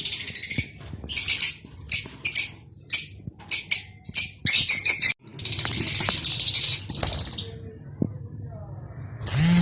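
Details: Rosy-faced and Fischer's lovebirds making a mating call to prompt breeding: a quick series of sharp high chirps, then a long buzzy chattering run. A short quiet gap follows before the chatter resumes.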